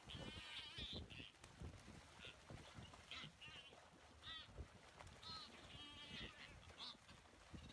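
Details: Northern Buller's albatross (Thalassarche bulleri) off the Chatham Islands, New Zealand, on 13 January 2016 give harsh, nasal, honking calls in short bursts roughly every second, possibly several birds, over a steady low roar of wind or surf.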